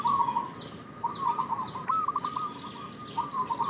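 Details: Local zebra dove, a lure call used as bait, giving rapid stuttering coo phrases on one low pitch, repeated roughly every second with brief pauses; faint higher downslurred chirps from another bird recur in the background.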